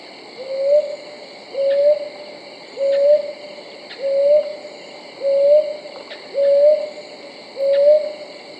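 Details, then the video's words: Brown hawk-owl giving soft, rising two-part hoots, each note sliding slightly upward, repeated about every 1.2 seconds; faint steady insect whine in the background. "কাল পেঁচার ডাক🦉Call of Brown Hawk Owl"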